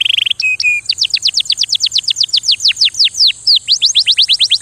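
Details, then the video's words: Canary singing, a song used to stimulate canaries for mating: a short buzzy trill and a few flat whistles, then a long run of fast downward-sweeping whistled notes, about five a second, broken by one brief pause. "غناء الكناري نادرا ما تسمع مثله"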